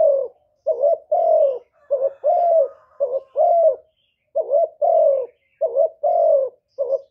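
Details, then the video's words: Decoy spotted dove cooing rapidly while challenging a wild bird: dense, almost continuous series of short and long mellow coos, the longer ones sliding downward, with only brief gaps. "Tiếng cu mồi lỡ gù đấu bổi"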